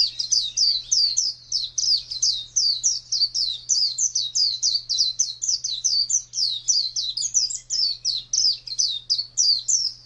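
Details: Wild-style ngalas song of an Oriental white-eye, a fast unbroken run of high, sweet, downslurred whistles repeated about three times a second for the whole stretch, over a faint constant low hum.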